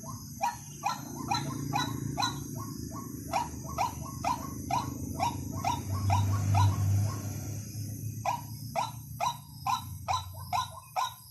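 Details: White-breasted waterhen calling, used as a lure: repeated rasping croaks at roughly two per second, partly masked mid-way by a low rumbling noise, then a short gap before the croaks resume, all over a steady hum.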